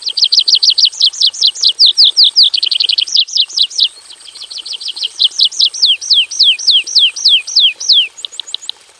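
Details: A caged Javan bush lark in a simple aviary pours out rapid repeated downslurred notes, speeding into a tight trill, pausing briefly, then resuming slower falling notes, ending with faint high ticks.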